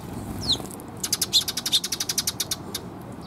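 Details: Sparrows arriving to be fed at a feeding perch, recorded 7 June 2021. One early chirp, then a rapid run of about a dozen sharp, evenly spaced high chirps, over soft background hiss.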